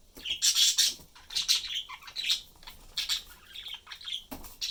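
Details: Three pet budgerigars (Melopsittacus undulatus), a father, mother and young bird, chatter in their cage in a quick, scratchy warble of high chirps and squawks during a normal day of play.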